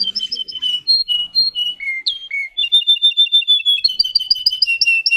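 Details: Singing canary of the Russian song breed: varied whistled notes that slide and step between pitches, then a steady rapid trill, ending in fast, bright repeated chirps with faint clicks.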